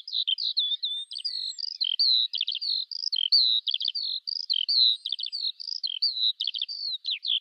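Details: Continuous high skylark song, Eurasian skylark pouring out whistled slurs alternating with short rattling trills at a quick, uneven pace, loud and clear throughout.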